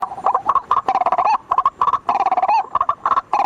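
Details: White-breasted waterhen lure call at night: a dense, chaotic chorus of harsh croaking notes pulsing quickly and overlapping, with brief gaps between bursts.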